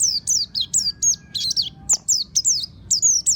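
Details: Oriental white-eye of the monty type, recorded as a lure to make other birds open their beaks and sing: rapid high, thin, descending chirps and twittering notes in quick bursts, with a brief click near the middle.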